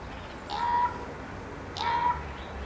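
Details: A raven calling from a tree in a garden gives two drawn-out, level, slightly nasal calls about a second and a half apart over a quiet background hiss.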